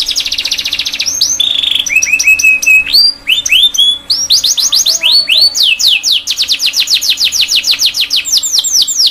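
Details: Canary song used as a tutor recording for young canaries learning to sing: a fast buzzy high trill, then rolls of lower repeated notes, rising swept whistles, and a long run of rapid upswept chips, over a faint steady hum.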